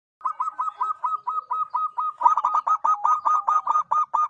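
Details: Local zebra dove (perkutut lokal) giving a rapid series of about sixteen short, hooked, mid-pitched cooing notes, roughly four per second, softer at first then louder and doubled in the second half; no other sounds.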